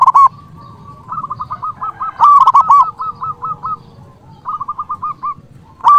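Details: Cooing of a local zebra dove kept to provoke rival doves. Short, loud ringing coo phrases alternate with quicker, softer staccato runs from other birds over a steady low rumble.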